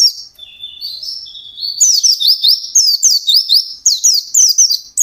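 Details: Intensely singing white-eye, fast 'ngalas' style: opens with soft, level high whistles, then breaks into loud rapid phrases of sharp, downslurred chirping notes repeated in quick succession.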